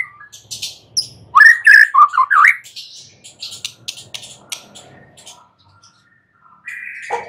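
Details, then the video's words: White-rumped shama at night delivering one loud burst of rapid, bouncing whistled notes, then soft scattered high ticks fading into near quiet, closing with a short falling whistle. "Pancingan Murai batu MALAM HARI Auto NYAUT GACOR"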